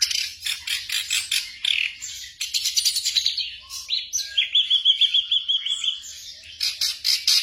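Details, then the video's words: Black drongo singing, for night-time training of caged birds: rhythmic runs of short harsh bursts, then a clear series of about eight rapid whistled notes, followed by more clipped bursts. "TERAPI SRIGUNTING MALAM HARI"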